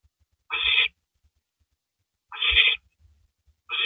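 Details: Early on April 9, 2012 at 3:33 AM, an owl shreds a rabbit; slow, evenly spaced raspy screeches nearly two seconds apart, each around half a second, with faint low knocks between calls.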